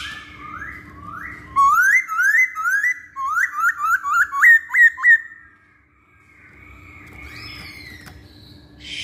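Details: Masked laughingthrush song used as a lure for other birds: a series of loud rising whistled notes repeated rapidly, speeding into a run of about ten, then a pause and faint softer calls against steady low hum.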